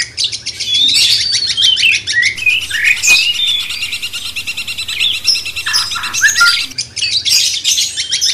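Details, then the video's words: Cucak cungkok bulbul used as master song to excite a magpie-robin: fluid falling and rising whistles strung together, a brief pause, then more chattery notes, all over steady high-pitched hiss. "Masteran cucak cungkok bangkitkan emosi kacer"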